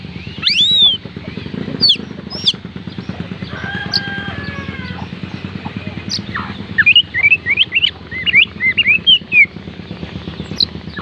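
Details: Oriental magpie-robin song used to encourage lazy birds to sing: a few sharp whistles, a pulsing low mechanical background, then a fast burst of short slurred whistled notes toward the end.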